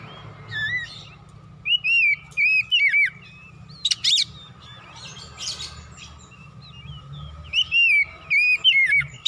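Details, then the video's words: Kacer, or Oriental magpie-robin, in vigorous song meant to excite other birds: loud looping whistled phrases alternating with rasping, scratchy bursts, repeated in groups across the stretch, with a faint steady hum beneath. "TERAPI MERANGSANG KACER CEPAT EMOSI GACOR BONGKAR ISIAN"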